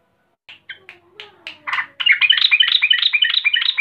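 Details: Agitated female yellow-vented bulbul calling a male: a few spaced, sharp single notes at first, then a dense rapid chatter of bright, bubbly, downslurred chirps that continues to the end.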